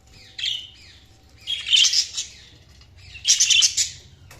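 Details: Budgies chirping in three bursts: a short opening chirp, then two loud clusters of bright, warbling chirps and squeaks roughly one and a half seconds apart, with quiet gaps between them.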